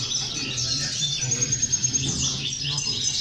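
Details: European goldfinches twittering as a motivational recording for goldfinches: a high, busy chorus of chirps and thin whistles, with low murmuring voices faintly beneath.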